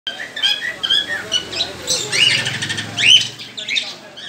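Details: Budgerigars in an aviary chatter together in quick, bright chirps and scratchy warbles, with a faint human voice underneath.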